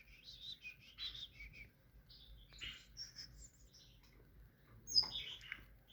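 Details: Tit singing: a series of short, high chirped and whistled notes in quick bursts, with a brief pause mid-phrase and a sharper, louder note near the end, over a quiet background.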